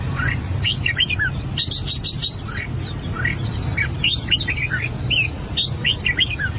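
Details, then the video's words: Albino red-whiskered bulbul practising song: lively, almost continuous chirping and sliding whistled notes, with short clipped rattles, over a low steady background noise. "Chim chào mào bạch tạng hót luyện giọng"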